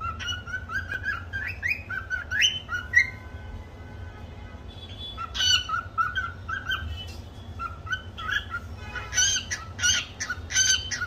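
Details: Pet cockatiel singing a learned tune: warbled whistled phrases with rising slurs, a quieter pause mid-clip, then renewed bursts of sharp chirps, over a low indoor hum.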